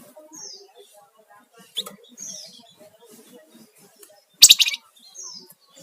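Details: Sunda warbler singing lively, ngebren rattle and nyiul whistle styles, used as a lure and master for songbirds; thin, falling high whistles repeat every couple of seconds, with one sharp loud rattling burst near the end.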